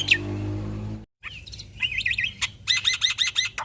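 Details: Male black-winged starling, caged, singing in a lively full-repertoire style used as a master recording to prompt other starlings to sing; after a second of low hum and a brief silence come varied whistled notes, then a fast series of repeated buzzy downslurred phrases.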